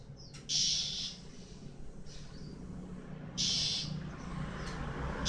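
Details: Male white-eye while moulting, two loud, high, grating bursts about three seconds apart, with a fainter note between, over a steady low hum.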